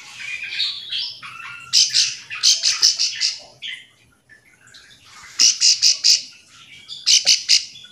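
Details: Bar-winged prinia call used to provoke other prinias into answering: bursts of high, harsh, buzzy notes in quick rattling runs of four or five, repeated every couple of seconds, with softer chirps between, in back-and-forth calling.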